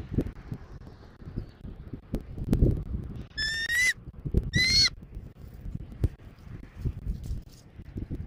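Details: Bald eagle at a nest in Southwest Florida, 14 January 2024, early morning around 06:36: two loud, rising, squealing notes about a second apart, over steady wind and rustling.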